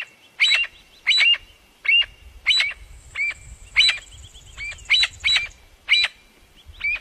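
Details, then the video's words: Partridges calling each other with about a dozen short, scratchy, rising notes in quick uneven succession; a faint thin high tone runs briefly through the middle, over light low background noise. "partridge are calling each other"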